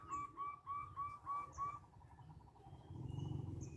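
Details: Local zebra dove, a lively small-voiced singer whose song serves as a lure, giving six evenly spaced clear notes about one every third of a second, then falling quiet over rising low background noise.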